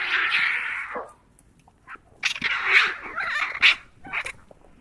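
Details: White-backed vultures at a carcass in southern Africa give harsh, hoarse squeals and hissing screeches, one long drawn-out squeal followed by several shorter, rasping outbursts.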